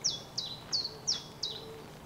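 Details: A chiffchaff, a summer visitor back from Africa, sings five bright, sharp notes about every third of a second in a bouncing chiff-chaff rhythm from a treetop on a misty, drizzly late-March morning on the Scottish coast, with faint background hiss.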